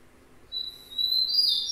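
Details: Rufous-collared sparrow (tico-tico) song opening: a thin, high steady whistle that swells into a louder, slurred high phrase, cut off at the end.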